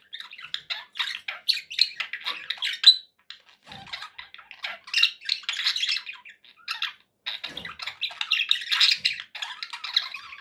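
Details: Pet budgies give a steady, scratchy warble of rapid chirps and buzzy notes in several bursts separated by brief gaps.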